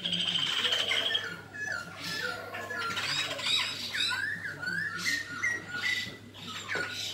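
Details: A black-throated laughingthrush in competitive song pours out a loud, rich, varied song of clear whistles, slurred notes and harsh bursts, under a steady low electrical hum.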